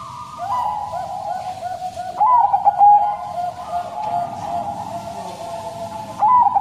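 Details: Caged Bangkok crossing zebra dove singing a fairly long mournful song: sustained mellow cooing tone with a brighter lead-in, fluttering rolled notes around two to three seconds, then a long even hold and a renewed accent at the end.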